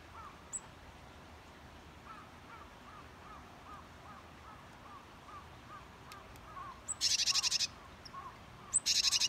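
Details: Japanese tit at a new feeding spot a few metres from a redstart's feeder, late winter with snow nearly melted; two loud harsh buzzy bursts near the end, over a soft low note repeated about three times a second.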